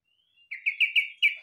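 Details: Yellow-vented bulbul singing in a manner compared to a cucak ijo: a soft lead-in tone, then a fast run of six loud, liquid whistled notes, evenly spaced and cleanly clear.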